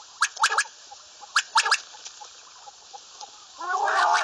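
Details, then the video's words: Common quail calling: two clipped triplets of sharp pulses near the start and middle, then scattered faint notes, with a loud harsh harmonic call from another bird at the end. "Bater Ki Latest Awaz, Batair ki Awaz, Bater , Bater fight, Bater voice , Common quail"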